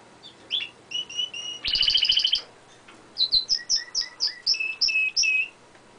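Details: Close-up of a domestic canary singing on a window ledge: quick chirps lead into a dense rattling trill, then a run of about eight clear, evenly spaced two-part whistled notes.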